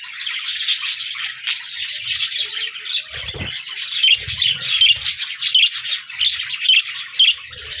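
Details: Budgerigars singing on 14 January 2024: continuous chattering warble of scratchy notes and sharp whistled chirps, one louder thump near the middle and faint low bumps.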